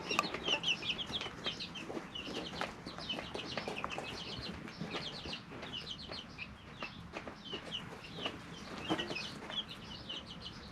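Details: Three-week-old chicken chicks in a brooder, behaving naturally; many high peeps and trills overlap continuously, some chirps rising and falling, with soft rustling and scratching underneath.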